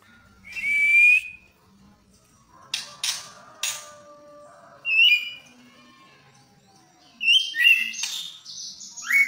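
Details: White-rumped shama, albino or blorok form, kept in Indonesia, giving spaced song phrases: a clear rising whistle, sharp clicks, then short bright whistled bursts separated by quiet gaps; faint low murmurs between.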